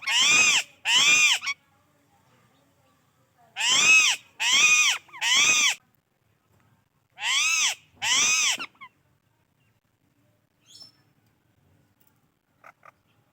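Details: Indian ringneck parakeet heard with alexandrine parrots: loud raspy screeches in quick pairs, seven in all over about nine seconds, each harsh and arching, then quiet with a few faint soft chirps and clicks.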